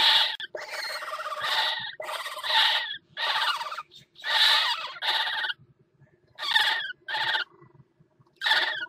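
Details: Northern goshawk at a nest on a water tower at Axel, recorded 5 February 2018 while a pair mates on the ledge; harsh, raspy nasal calls in long bursts, roughly half a second to a second each, repeated with short gaps.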